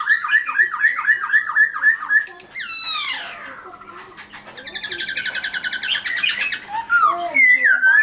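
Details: A caged silver-eared laughingthrush sings a loud series of looping whistled notes in quick succession, then harsh descending sweeps and a buzzy, rattling passage, ending with clear slurred whistles.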